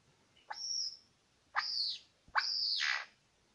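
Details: Male Superb Lyrebird, one of two at Lookout Point, New England National Park, gives three loud sweeping calls, each rising sharply then holding a high whistled tone before dropping, spaced about a second apart.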